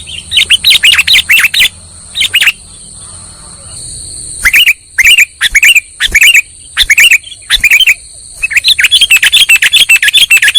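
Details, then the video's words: Trapping lure recording of a sooty-headed bulbul: bursts of quick chirps, a quieter gap, then spaced paired notes and a dense rapid chirping run at the end, with steady high electronic tones behind. "SUARA PIKAT BURUNG KUTILANG"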